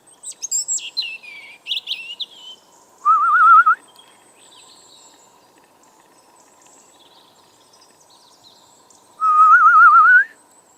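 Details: European robin singing in a garden on a cold November 2014 morning: a burst of high, thin, squeaky warbled phrases, then two loud, lower wavering whistled trills about a second long, each rising at the end.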